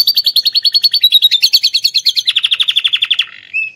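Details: Atlantic canary trained with lovebird phrases delivers a dense rapid trill of clipped notes, about ten per second, stepping down in pitch halfway, then a short thin whistle.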